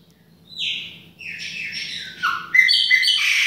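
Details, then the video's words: Baianinho-style song of a chopi blackbird indoors in a kitchen, a run of varied whistles that step down in pitch, then bright rapid high notes, with a soft low hum underneath. "PÁSSARO PRETO BAIANINHO DA UMA PALHINHA NA COUZINHA !"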